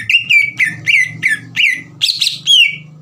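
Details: Green leafbird song meant to trigger rival birds into answering: loud, evenly spaced whistled notes, each sliding down then held, about three per second, ending in higher rising-and-falling phrases over a faint low hum.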